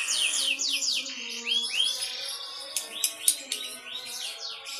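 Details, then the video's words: Konslet-type lovebird song, an endless flow of chatter: buzzy, sweeping high notes and rapid twitters run without pause, with a few louder sharp chips near the end. "Ciri ciri lovebird konslet"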